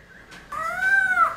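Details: Caged Black-throated laughingthrush singing in the early morning, used in training to spur wild-caught birds into song: one long, clear whistled note that swells and holds steady before dropping away.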